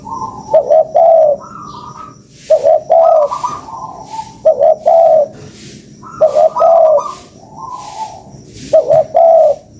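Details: Spotted dove lure call with a repeated phrase of short, then longer, soft low coos. The phrase comes back about every two seconds, five times, with faint clicks between.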